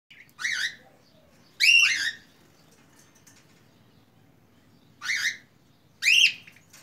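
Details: Budgerigars in a simple home aviary, described as singing: four short, bright, harmonic chirps that rise then fall. They come in two pairs about a second apart, separated by a pause of roughly three seconds, over a faint low hum.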